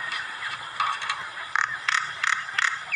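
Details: Common myna giving harsh, scratchy chattering calls: a run of rasping notes, then louder short broadband bursts repeated about every third of a second near the end, over faint low background noise.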